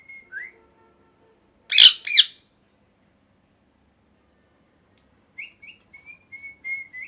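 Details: Pet parrot, currently molting: soft short whistled chirps, then two loud harsh squawks, then a series of faint high chirps and thin whistles.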